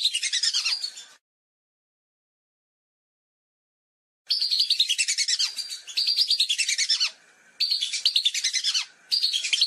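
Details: Lesser whistling ducks calling, recorded as a hunting lure: a short burst of high whistled chatter, about three seconds of silence, then long runs of rapid, overlapping twittering whistles broken by short gaps.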